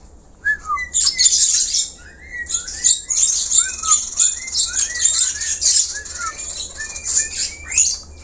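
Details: Black-collared starling singing vigorously in natural sound, used as a lure for other birds: continuous harsh, scratchy high bursts mixed with short downslurred whistles, near-unbroken chatter for over seven seconds.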